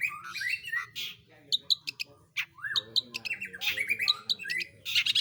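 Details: Long-tailed shrike, known locally as pentet or cendet, singing energetically in the roll tembak style: varied chattering, buzzy and slurred notes with sharp high clicks, broken by a short pause, over a low steady hum.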